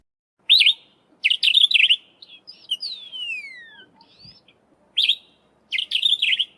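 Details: Sombre Greenbul, a garden bird of the Eastern Cape, South Africa, giving short, bright, chattering bursts roughly every second, broken by a long, clear whistle that slides downward.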